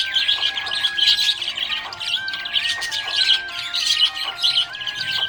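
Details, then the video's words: A happy budgie keeps up a continuous high, rasping twitter with quick chirps, accompanied by long steady tones of background music that change pitch every second or so. "Happy budgie chirping sound"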